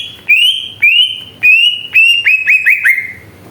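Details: Greater green leafbird song as a provoking lure: a series of loud, clear rising whistles, each held briefly, repeated about every half second, speeding up toward the end.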